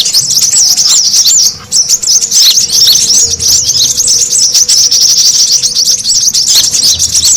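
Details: Lure recording of noisy brown-throated sunbirds meant to attract birds: thin, high, rapid chirping in a steady, crowded stream, with a brief dip in loudness near the start before the chatter resumes.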